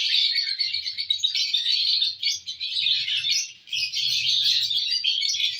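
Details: Lovebirds happily chattering on June 1, 2022: constant high-pitched squeaks and rasping twitters, with soft low rustling sounds beneath.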